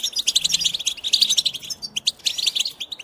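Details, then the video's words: A goldfinch sings a fast, bright twitter of high chirps and trills, run together almost without pause and broken by a couple of brief gaps. "the Goldfinch Song"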